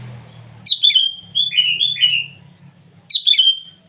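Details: Sooty-headed bulbul calling rivals in the morning with lively bubbling song: a sharp downslurred note opens a chain of rolling warbles, then another short phrase follows, with low hum behind.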